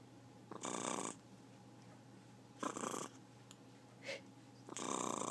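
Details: Talking pet macaw growling: three harsh, hissy, broadband bursts of about half a second each, spread over five seconds, with a couple of faint short noises between them in a quiet indoor setting.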